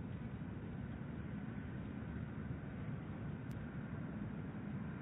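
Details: Steady low rumble like a distant engine or wind, with no animal sounds and a single brief click near the end.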